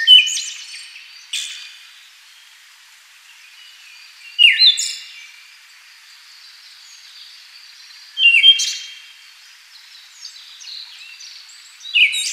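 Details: Siberian thrush (Zoothera sibirica) phrases spaced about four seconds apart: each is a loud, downslurred note with a buzzy, high trailing whistle, and faint high chirps sound in the quiet gaps.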